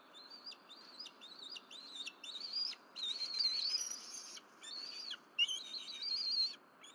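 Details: Bald eagles at a Berry College nest, 12 April 2023, during a morning of fish deliveries by the mother, with the family of three then eating on the nest; a loud run of high, whistled chirps in bursts, some rising and quavering, over steady background hiss.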